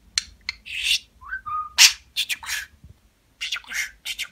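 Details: Pet budgerigar talking: rapid scratchy, buzzy chatter bursts mixed with a few short clear whistled notes, in quick uneven phrases with brief pauses.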